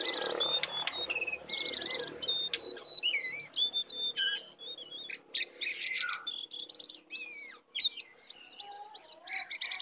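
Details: Wild lesser shortwing (cingcoang coklat) arriving to attack sings quick, high, buzzy and whistled phrases in a long tumbling series over a faint low background hum.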